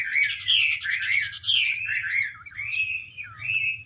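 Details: Chinese hwamei (Garrulax canorus) song while a female dances with spread wings to spur the male on; rich, slurred whistled phrases rising and falling in quick succession, with a faint low hum beneath.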